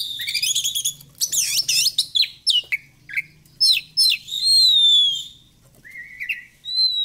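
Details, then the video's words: Oriental magpie-robin song used as a lure to make a bird fan its tail: rapid high looping whistles and sharp chips, then a long clear sliding whistle and lower rising notes, with a faint low hum. "PANCINGAN BURUNG KACER BIAR BUKA EKOR"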